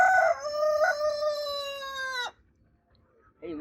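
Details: Rooster in a crowing competition, delivering a loud, clear, harmonic crow: a short rising opening, a brief step, then a long steady held note of about two seconds that drops off abruptly, followed by silence.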